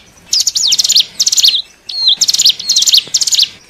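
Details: Hill prinia used to lure wild birds, giving rapid high sweeping chirps in two runs, with a brief flat whistle between them.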